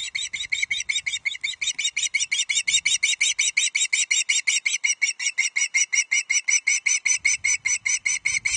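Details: Ravenous young male Osprey at a Loch Arkaig nest on 31 July 2023 begs for the first fish of the day, a large headless trout; a fast, steady stream of sharp piping notes, roughly three each second.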